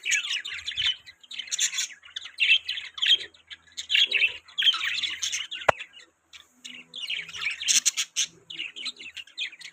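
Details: Budgerigar chirping in a string of warbling, chattering phrases separated by brief pauses, plus one sharp click near the middle.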